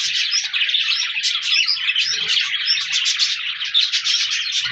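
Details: Budgerigars, colourful parakeets, recorded 14 January 2024, chirp and warble together in an unbroken stream of bright, squeaky twittering, with one faint low knock midway.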